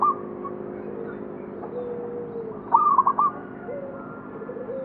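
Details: One crisp, chattering run of rapid coos from a local zebra dove near Candi Rimbi, Jombang, set against faint lower cooing and quiet ambient noise.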